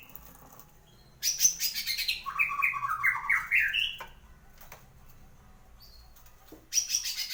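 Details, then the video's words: Pet white-rumped shama after its moult, singing loudly: a harsh burst opens into a three-second run of tumbling, rising warbled whistles, then a pause of quiet room noise before another harsh burst begins. "burung murai abis paska tapa mabong . gacor"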